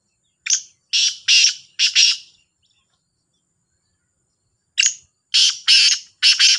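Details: Two black francolins (kala Sindhi teetar) in a calling contest: a rasping four-note phrase, a silence of about two seconds, then an answering harsh phrase of four notes. No other sounds.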